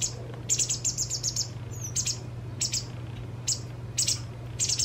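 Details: White wagtail fledgling, two days before independence, fed its fill by a parent: short, high, thin chirps in bursts of two to five, repeated irregularly through the clip, over a steady low hum.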